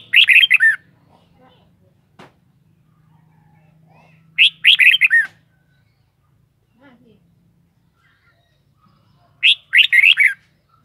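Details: Red-whiskered bulbul repeating the same short, sweet, warbling phrase three times at roughly four- to five-second intervals, each a quick burst of bright, rolling notes; faint low hum and an occasional soft click between.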